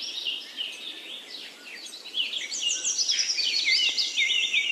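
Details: Rainbow lorikeets in an aviary chatter in shrill, high screeches and squeaky twitters, several birds overlapping almost continuously, over a steady high hiss.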